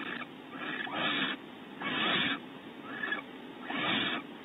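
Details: At Audubon Starr Ranch, California, a male barn owl brings stored prey to the female on a bonding visit; four rough, noisy hisses about a second apart, each a broad rasping burst with quiet gaps between.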